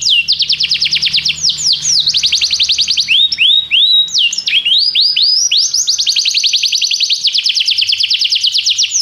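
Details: Canary in full song: long unbroken trills of fast repeated high whistled notes, switching between several rapid swooping phrases, loud throughout, with a faint low hum underneath.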